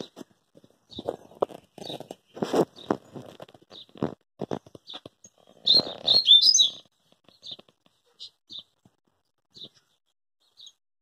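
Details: Rusty-collared seedeater delivering a rapid, jumbled twittering phrase midway, after a series of irregular dull knocks and taps. Soft high chips repeat sparsely afterwards.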